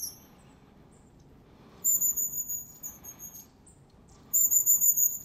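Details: In a January woodland in Moscow Region, wild long-tailed tits utter long, thin, high-pitched sustained notes with slight wavers, separated by quiet gaps, near the Zvenigorod Biological Station.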